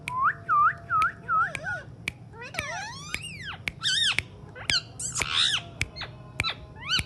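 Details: Alexandrine parakeet talking: it starts with a string of quick, evenly spaced, scooping whistles, then moves into looping rising notes, sharp clicks and harsh, buzzy, speech-like sounds.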